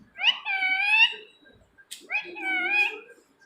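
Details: Rose-ringed (ring-neck) parakeet, called "mithu", gives two drawn-out, nasal, rich-toned calls about a second long each, fairly steady in pitch, with a short pause and a faint click between them.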